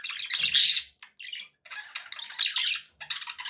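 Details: Budgies kept as pets give a loud scratchy squawk burst followed by short gaps and clusters of quick chirps and buzzy warbled notes.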